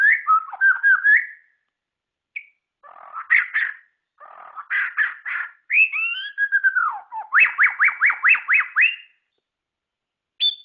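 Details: White-rumped shama, a hobbyist's songbird, sings scattered warbled phrases and burry notes, a long downslurred whistle, then a rhythmic run of rising sweeps, ending with one brief high note.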